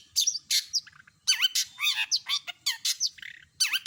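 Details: Long-tailed shrike singing energetically with a full repertoire of imitated songs: dense bursts of high chirps, squawky notes and down-swept then up-swept slurred phrases, separated by short pauses.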